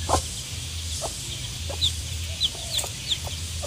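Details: One-day-old baby chicks giving a few sharp, high, downward-sliding peeps, spaced irregularly over roughly two seconds, set against a steady low hum and broad hiss.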